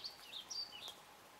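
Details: Pine grosbeak filmed at a hotel in Finnish Lapland in June 2012: a quick run of clear, high whistled notes, some rising and some falling, spread over about one second against faint background hiss.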